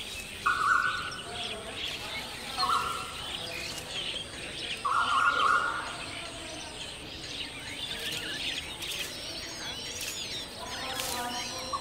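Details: Striated babbler near its eggs and chicks: three short harsh buzzy bursts in the first six seconds, then quieter rasping. Scattered high chirps and a constant background hiss run throughout.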